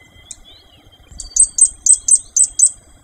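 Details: Fire-breasted Flowerpecker of the subspecies Dicaeum ignipectum formosum: one faint high note, then a steady series of six loud, piercing high-pitched ticks about a quarter-second apart, over a quiet background.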